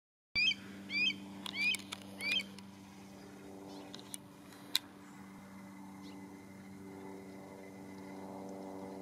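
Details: A red-tailed hawk in the Conejo Open Space, Newbury Park, Ventura County, calls out to its mate or family with four short, sharp, high chirping calls in quick succession, then falls silent over a steady low mechanical hum from a lens stabiliser.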